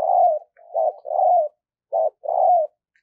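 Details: Spotted dove used as a decoy for luring wild doves, giving loud repeated coos: a long coo, a short note with two more coos, a pause, then another short-and-long pair.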